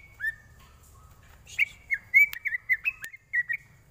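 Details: Greater green leafbird song for training birds: a series of short clear whistles, each dipping and rising, given about twice a second in a loose run, with a few sharp clicks.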